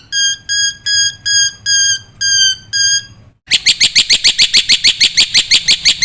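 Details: Masteran of a Black-winged myna, full of fill-in phrases to prompt young mynas: six level, pure whistled notes with clear overtones, evenly spaced, then an abrupt switch to a rapid, loud, harsh chirping series.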